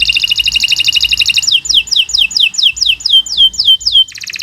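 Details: Canary song used as a training model for young birds: a rapid buzzy high trill, then a series of loud descending whistled slurs repeated about four times a second, ending in another fast trill.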